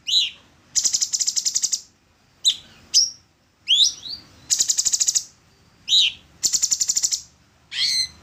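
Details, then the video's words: Songbird training material of an orange-bellied leafbird: quick upslurred whistles alternate with rapid, buzzy chattering trills, each trill roughly a second long, in a lively back-and-forth pattern. "Pancingan burung Cucak cungkok / orange-bellied leafbird"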